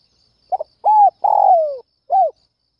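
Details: Spotted dove calling fiercely in the early morning to lure other doves: a short stuttered double note, then an arched coo, a long throaty coo sliding downward, and a final arched coo, in a quiet setting.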